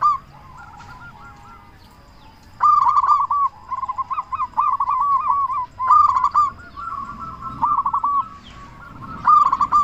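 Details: Local zebra dove singing strongly to lure other doves into calling: quiet opening, then repeated loud bursts of rapid cooing notes over several seconds, overlapping phrases from more than one bird.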